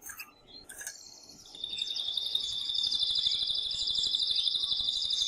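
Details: Singing male canary urging the female to mate, starting with faint scattered notes before a steady, sustained high rolling trill builds and continues to the end.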